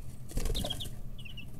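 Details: Brooder chicks aged 11 to 13 days, feathers growing in, stretching wings: a brief burst of fluttering wingbeats followed by a few short high peeps, with a low hum underneath.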